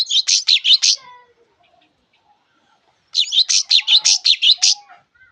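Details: [6, 'Java sparrow singing in two bursts of rapid, bright chirping notes separated by a few seconds of near silence. A faint low whistle trails after each burst.']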